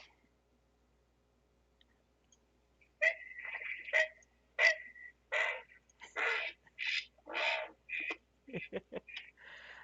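Great Blue Heron giving a run of harsh, hoarse squawks and croaks, about a dozen rough bursts in seven seconds after a quiet start.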